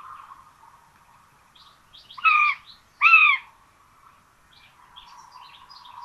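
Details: Common buzzards with a pair of chicks at their nest, Tiszalök, Hungary, June 26, 2022, rabbit feeding; two back-to-back arched, strained calls mid-clip, quiet high songbird notes before and after.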